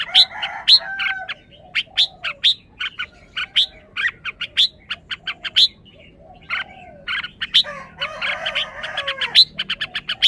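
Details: A caged red-whiskered bulbul, possibly very excited, delivers long volleys of sharp, ringing chips with a short quiet gap, then louder rasping, churring notes mixed in near the end.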